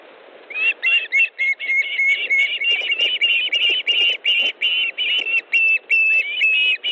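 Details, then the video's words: Ospreys at an Estonian nest on 18 August 2014, evening, male bringing fish to his mate: fast, insistent series of piercing whistled yelps, short notes run together in a steady chatter lasting several seconds. "Kalakotkas 2 - Osprey nest, Estonia 18th August 2014 18.05 Ilmar delivers fish to Aino"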